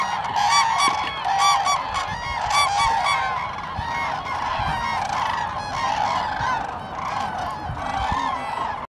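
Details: Large gathering of common cranes calling at Lake Hornborga, Sweden, April 2017. Strong, ringing trumpet calls pile over one another without pause, pulsing in loud waves throughout, before stopping abruptly.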